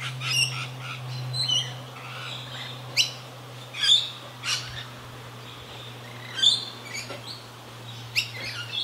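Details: Rainbow Lorikeets feeding frantically in Australia: scattered sharp squeaks, chips and short screeches at uneven intervals, over a steady low hum.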